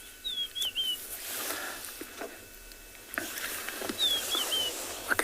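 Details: Rufous-naped lark singing at sunrise in the Tswalu Kalahari Reserve, South Africa, on 21 October after rain; two clear whistled phrases, each a high slurred descending note followed by a short trill, about three seconds apart, over faint rural background.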